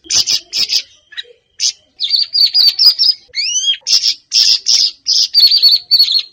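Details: Lure song of a Siri-siri bird for encouraging a kept bird to sing. It mixes harsh high chirp bursts with a long, trilling whistled run and two rising, ringing slurs in the middle.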